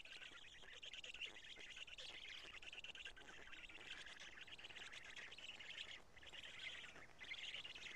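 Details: Evening nest scene in Karula, Estonia, 2 June 2017 at 20:04, with black storks changing places and feeding; a near-continuous hoarse, hissing wheeze that swells and fades, dipping briefly twice.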